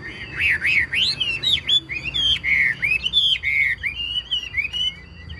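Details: Caged Chinese hwamei kept as a songbird, singing strongly: a rapid run of loud, bright whistled phrases, each swooping up and down, about four notes per second with little pause, over faint low background hum.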